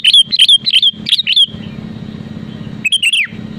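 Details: Vigorous sooty-headed bulbul song, used to provoke rivals into singing: five fast, loud whistled notes in a row, a gap filled by low droning hum, then a bubbly falling phrase.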